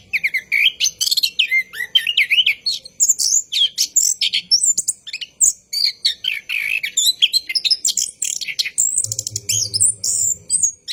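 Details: Lure recording of an orange-headed thrush at night, song rolling on at length: varied chattering, looping whistles and rapid twitters packed closely together, with a brief low buzzing hum near the end.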